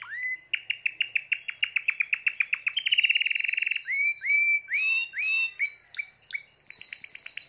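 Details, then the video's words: Timbrado canary, the owner's seventh bird of 2020, sings fast, rolling trills of repeated metallic notes, then slower rising whistled phrases and a high chattering finish. "تغريد طائر التيمبرادو"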